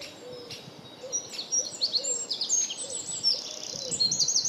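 A Eurasian wren pours out a loud, very high, rapid song of twittering notes and dry trills, with faint low cooing notes behind.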